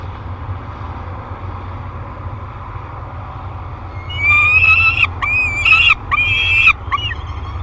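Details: Thirty-day-old peregrine falcon nestling in a nest box at Great Spirit Bluff, 1 July 2021: low hum at first, then several harsh, wailing cries in quick succession from the fourth second.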